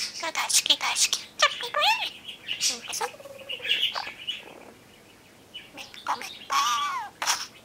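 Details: Camera-loving pet budgerigar singing its original song, which it performs after preening near the lens: bursts of scratchy chatter mixed with clear whistled glides, a soft pause, then more rising warbled phrases.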